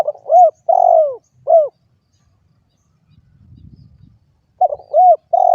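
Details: Spotted dove cooing in repeated phrases of short arched notes around a long falling coo, with a stretch of faint low rustling between phrases.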